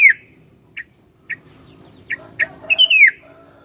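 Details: Sooty-headed bulbul, a very vocal bird with a full song, used as a master or lure for other bulbuls: spaced short chirps, then a bright downslurred whistle and a low trailing note.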